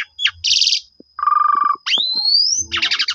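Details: Lure song of a black-collared starling, used to provoke other starlings to answer: a buzzy burst, a low rattling trill, then a long sweeping whistle that rises steadily before a dense chattering rattle.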